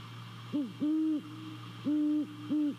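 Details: At a nest in Savannah on a late-December night in 2020, a great horned owl gives a short hoot, then long, low, steady hoots in a paired rhythm, heard through a nest camera with faint background hum.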